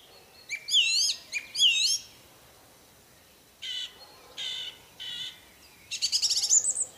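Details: Wild orange-banded thrush giving isian song phrases: sweeping upslurred whistles in quick succession, three separate buzzy notes, then a fast rattling high trill ending the phrase.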